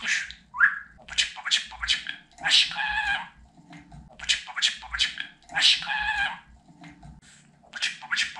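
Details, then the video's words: Talking pet budgerigar repeating Turkish words like "Babacık", "Aşkım" and "Cici kuş": squeaky, compressed speech-like syllables in short groups with brief pauses, one rising chirp near the start, indoors with little background noise. "Babacık Aşkım Cici kuş Demeyen Konuşmayan Muhabbet Kuşu kalmasın | dinlet konuşsun"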